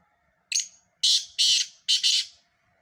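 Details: Four grating notes from a black francolin: a short clipped opener followed by three longer, rough, buzzy bursts, with an almost silent background.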